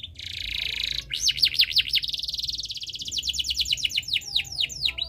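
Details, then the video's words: Canary in breeding condition singing to stir other birds: opens with a buzzy rattle, then looping rolled notes, a long fast trill and slower sweeping downslurs at the end. "Suara Burung Kenari ini Bikin Burung Lain Ikut Bunyi"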